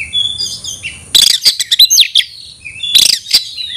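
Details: White-rumped shama calling out an opponent to fight: high whistled notes, then bursts of sharp chattering clicks and a few sweeping whistles, with a pause before another harsh burst.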